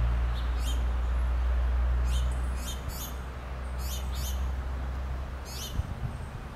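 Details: Baby finches begging their mother for food as she feeds them: high, sharp, downward-sweeping cheeps in quick bursts, several close together, over a loud steady low hum.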